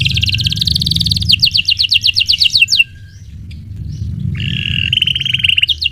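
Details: Canary song of rapid rolling trills and crisp repeated chips, briefly interrupted, then a sustained whistled roll over a constant low background rumble.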